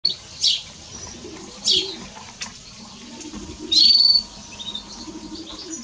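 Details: House sparrow chirping: three short, bright chirps spaced one to two seconds apart, the last one longer and sharper, over a quiet background with a faint low hum.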